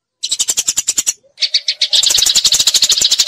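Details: Eurasian tree sparrow in a fight, rattling out quick sharp chips, pausing briefly, then resuming with a denser rapid chatter; a low steady hum runs underneath.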